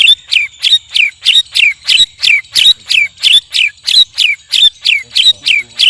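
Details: A white-rumped shama sparring alongside two other birds repeats one loud, sharp descending note about every third of a second, steady and regular throughout, with faint high ringing tones behind.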